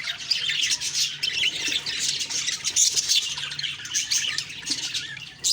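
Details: Morning chirping from budgies, many voices at once forming a steady bright warbling babble of quick squeaky notes and chirrups that never stops.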